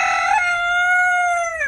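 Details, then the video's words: Domestic rooster crowing in a home garden on a very cold autumn morning, coaxed by its keeper; one loud, long, rich-toned crow that holds a steady pitch and drops away at the very end. "Voilà, ben du coup, c'est le chant du coq qui vous dit que c'est la fin du vlog."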